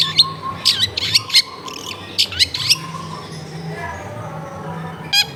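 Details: Lure song of a long-tailed shrike meant to coax silent shrikes into singing, taped in a densely populated residential area: clusters of scratchy, high chattering notes in two rapid groups, then quieter trailing notes and a low background drone.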